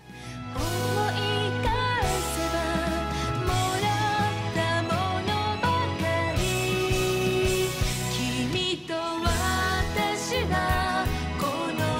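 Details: Pop-style music with singing plays throughout, with steady bass and sustained vocal lines and no animal sounds audible.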